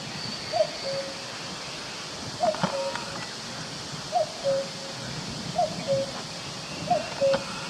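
A cuckoo gives its falling two-note 'cu-coo' five times, about every one and a half seconds, over a steady soft forest hiss.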